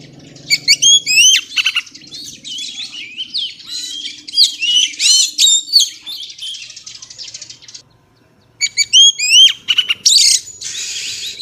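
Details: Female Oriental magpie-robin singing to excite males, a lively stream of whistled and chattering notes, a brief silence, then another fast varied burst.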